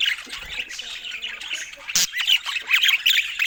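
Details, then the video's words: Pet budgerigars munching fruit; soft murmuring chatter gives way to lively repeated chirps and twittering warbles, about three per second, with one sharp click midway. "Cute Budgies Making Sweet Sounds While Eating Fruits"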